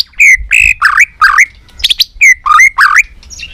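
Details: White-rumped shama, a three-season bird being stimulated into competition fighting song, tail-flicking: loud clear whistled phrases near mid-high pitch, some rising and slurred, others harsh and ringing, given in quick bursts with short gaps.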